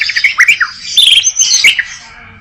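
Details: White-rumped shama singing a quick varied phrase: short upward-swept chirps, a bright high whistled note, dense chattering fragments and sharp clicks, fading toward the end.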